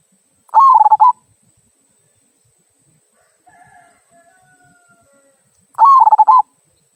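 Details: Local zebra dove's "kung" song, a style used to get other birds singing: two rolling, pulsed coo phrases about five seconds apart, with soft faint whistled tones drifting in between.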